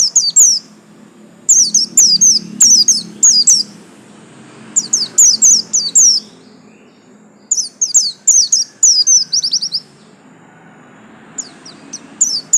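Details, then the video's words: Caged pleci buxtomi white-eye, a yellow-lined type, in sustained song: rapid high, falling notes about four per second in repeated phrases broken by short pauses, over soft background murmur. "absen garis kuning pleci buxtomi"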